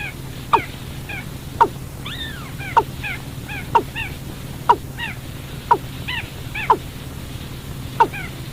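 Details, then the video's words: Watercock call meant to lure birds into traps at night: sharp falling notes repeated about once a second over several seconds, each trailed by softer curved higher notes, with a persistent low humming background. "tiếng chim cúm núm 14 để bẫy chim đêm"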